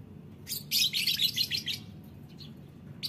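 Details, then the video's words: Lovebird in the morning giving a rapid, high, scratchy chattering burst of about a second, then a few faint chirps, over steady low background hum. "suara lovebird pagi hari"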